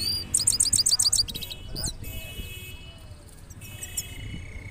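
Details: Goldfinch singing in the style called two-step rolling: a fast run of about seven bright, high, evenly repeated notes in the first second, then scattered short chirps and a brief sustained high tone over a low background rumble.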